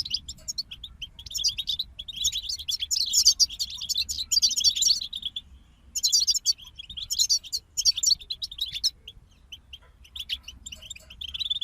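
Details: Singing from a group of European goldfinches: dense, liquid twittering runs mixed with sharp chips, long rapid passages broken by brief gaps around six and nine seconds, all high and bright over quiet low hum.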